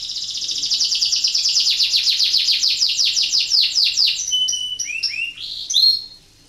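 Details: Canary in breeding condition singing to get other canaries singing: an extended rapid, high-pitched trill of pulsed notes, followed by a varied run of clear whistles and quick descending chirps before falling silent.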